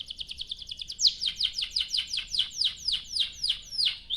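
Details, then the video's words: Canary song used to coax other canaries to sing: a fast chattering trill that slows into evenly spaced, steeply falling sweeps, about four per second. "Kicau Suara Burung Kenari Gacor Panjang cuit cuit Ngerol untuk Pancingan Kenari"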